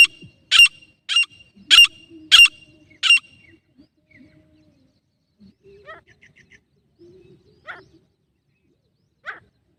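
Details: A female grey francolin in Jharkhand, heard in a hunting-lure sound, gives five loud, harsh, high notes spaced about half a second apart, followed by faint, scattered softer notes.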